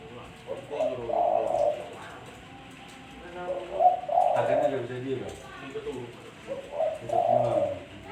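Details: Zebra dove song by day: three bursts of soft rolling coos, each a quick stuttering trill of low notes about three seconds apart, with faint background hiss and room noise.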